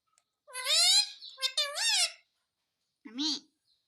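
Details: Pet parrot talking and asking for roti, producing clear human-like words: a long rising-falling phrase, a short break, then a second wavering phrase and a brief final syllable, all in a bright, high voice.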